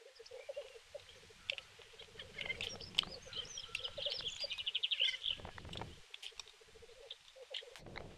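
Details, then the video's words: Black grouse at a snowy lek in Kuusamo, May 2021, with fighting birds. A steady low bubbling warble is overlaid by a rapid series of higher chattering notes and twitters. "Black grouse fights. Teeret soitimella Kuusamossa 05-2021."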